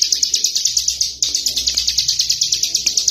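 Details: Prinia kept as a tame bird, singing continuously outside its cage; quick bursts of shrill, ticking notes rattle on at a brisk pace, briefly pausing near the start before resuming, over a low background hum.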